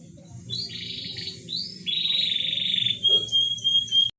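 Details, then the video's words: Canary song used as a lure to bring a reluctant bird into breeding condition: bright trills and a long steady high whistled note near the end, with a low humming background throughout. "Pancingan kenari susah birahi"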